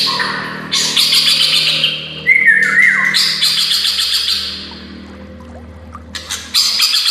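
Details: White-rumped shama song used as a masteran for training songbirds: loud, dense bursts of rapid buzzy trills and chattering notes, with a clear descending whistled phrase in the middle, steady low hum underneath.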